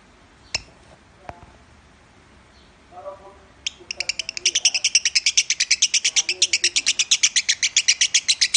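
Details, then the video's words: Contest lovebird, nominated at the Piala Raja competition, singing in the Minor style. After about four seconds of near quiet with a few clicks and low murmurs, a long, even run of sharp, high chattering notes begins, about six to seven a second. "Masteran burung lovebird suara Minor"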